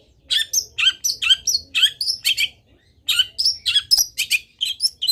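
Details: Long-tailed shrike singing vigorously with many fill phrases, a recording for teaching other shrikes: rapid series of short, sharp chirps and squeaks, a brief pause, then another run of quick notes.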